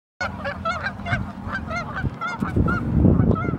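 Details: Geese on Warner Park Lagoon, Northside of Madison, Wisconsin, USA, giving a rapid, overlapping series of nasal honks, several a second, over a low rumble of background noise.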